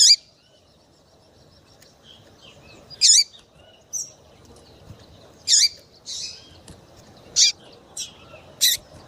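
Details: High, clipped chirps from a female double-collared seedeater meant to get males singing; roughly eight notes scattered unevenly across nine seconds, a few bunched near the end, against a quiet background.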